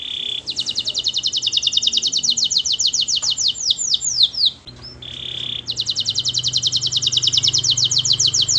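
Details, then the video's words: Canary singing a long fast rolling trill of repeated bright notes, a few downward slurs, a short pause with a steady tone, then another rapid trill. "Suara burung kenari bernyanyi merdu"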